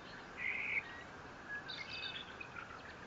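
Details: Bald eagle at its nest in Fort St. Vrain, picked up by a live nest camera on 18 April 2024, nest 57 feet off the ground; a short bright buzzy note, then higher thin chittering notes over a steady low hum.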